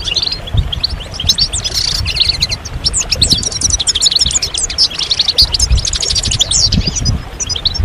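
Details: Massed European goldfinches twitter in a stimulation chorus used during moult; rapid jangling trills and chirps overlap steadily, bursts of denser song coming every second or two, low thumps underneath.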